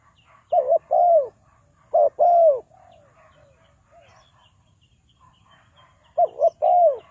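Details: Trapping-lure spotted dove, Ninh Thuận, calling three times. Each phrase has a quick double note leading into a drawn-out, downward-curving coo, with faint softer coos between the first two phrases and a long pause before the last.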